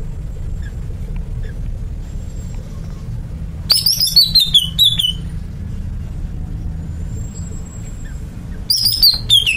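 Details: Greater green leafbird (cucak ijo) sings two bright phrases several seconds apart, each a rapid chain of high notes sliding downward, over continuous low mechanical hum.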